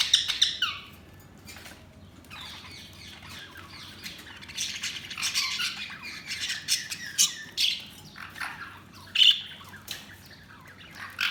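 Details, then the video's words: Budgerigars chattering almost without pause: a loud chirp at first, then long runs of scratchy, squawky high notes and twitters rising and falling over about eleven seconds. "Budgies Sounds| Budgies Chirping sound"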